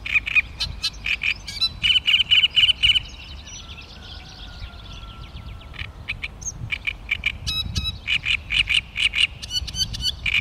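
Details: Great reed warbler (Acrocephalus arundinaceus) on 16 May 2013 gives loud, harsh, grating notes in quick bursts of about four a second, with pauses between; faint whistles from another bird and a low rumble underneath.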